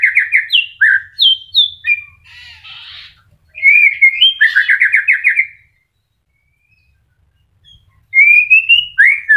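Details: White-rumped shama in early moult, caged, singing: rising whistled notes and a burst of harsh buzzy notes, then a fast rattling series of slurred notes, quiet gap, whistled phrase resuming.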